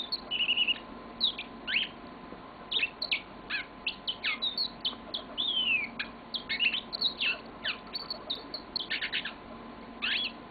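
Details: Yellow-fronted canary delivering a long song: rapid bursts of chirps, short whistled notes and quick trills, some sweeping downward, strung together with brief pauses throughout, over a faint steady background hum.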